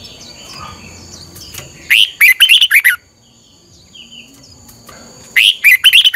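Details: Morning song of a red-whiskered bulbul, used to spur other birds into fired-up singing: two bursts of quick, sharp, bubbling notes a few seconds apart, with a faint hum and a steady high tone behind.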